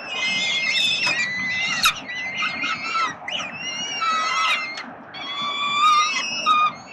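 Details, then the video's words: Hungry peregrine falcon chicks at a nest in Melbourne, Australia, 30 October 2021, beg while their father feeds them: shrill, quavering screeches in overlapping bursts with brief pauses. "Tata karmi swoje głodomorki"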